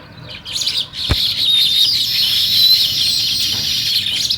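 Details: Morning sparrows chirp in a loud, dense, continuous high chatter, many overlapping tweets blending into one bright flock chorus, with a sharp click early on.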